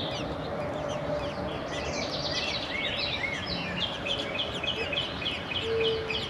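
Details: Nestling American robins, four chicks in the nest, calling as both parents take turns feeding them; a steady run of high, thin, wavering chirps and short sweeping squeaks continues throughout over a low background hum.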